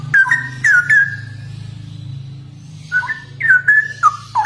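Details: Straw-headed bulbul (cucak rowo) in ropel song: a few bright fluting whistles, then a short quiet gap, then more liquid slurred notes, all over a steady low mechanical hum.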